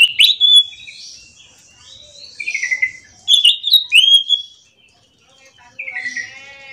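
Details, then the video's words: Morning singing by an orange-headed thrush: rapid sequences of high, sliding whistles and scratchy chirps, sung in several short runs, ending with a descending buzzy trill. "kicauan Anis macan gacor ngerol"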